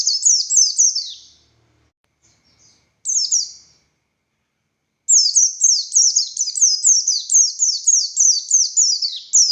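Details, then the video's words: 'Ngalas' song of a buxtoni Oriental white-eye, a male said to be calling the female: two brief bursts, a pause, then a sustained rapid string of high, downward-sweeping chirps lasting over four seconds. "Burung Pleci Buxtoni Gacor Konslet Full Tembakan Ngalas Ngotot Fighter"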